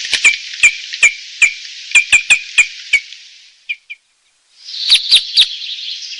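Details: Red crossbill song: evenly spaced sharp chip notes over a low buzzy warble, a pause with two faint notes, then a second short chippy phrase.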